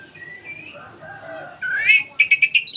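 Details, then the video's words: Old oriental magpie-robin chattering nonstop in nyerecet style: soft low warbles, then a loud rising whistle and a burst of four quick, sharp repeated notes near the end. "Kacer tua jiwa muda nyerecet bunyi tanpa henti"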